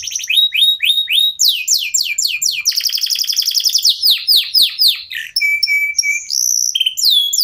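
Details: Local domestic canary in varied song, played to prompt other birds to sing: repeated hooked chirps, a dense rattling trill, sharp sweeping notes, then steady whistled tones and upslurs.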